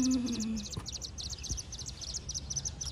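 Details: Buff-banded rail (Gallirallus philippensis) chick gives rapid, thin, very high peeps in an almost continuous run, opening with a brief low hum.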